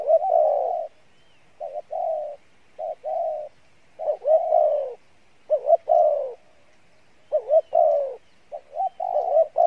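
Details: Spotted dove cooing, song style called Pha Bài Lối: steady series of soft hooted phrases, short upswung notes alternating with longer level coos, roughly half a minute's rhythm of regular repeats.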